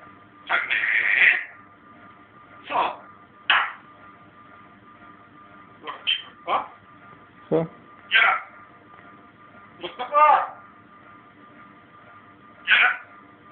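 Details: African Grey parrot kept as a pet, imitating Persian words and names: scattered bursts of raspy, voice-like syllables and one warbling phrase, with background speech and faint music.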